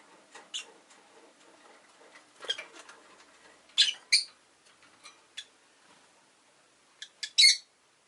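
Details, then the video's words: A pet Agapornis roseicollis chatters with soft scratchy notes, then bursts into loud, piercing paired chirps, ending with a strong shrill call. "Lovebird Chirping Sounds"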